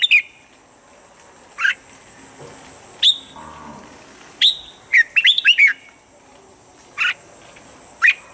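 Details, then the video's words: Red-whiskered bulbul giving a standard voice for morning training of birds: scattered single sharp notes every second or two, one rapid five-note warbled phrase in the middle, and a brief soft low rumble. "Luyện giọng chào mào âm chuẩn mỗi sáng giúp chim nhanh căng lửa"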